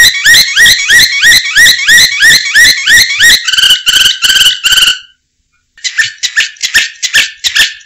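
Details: Canary singing for prompting and tutoring other birds: loud repeated upslurred chirps, then a rattling buzzy trill, a half-second silence, and a fresh burst of quick sharp notes.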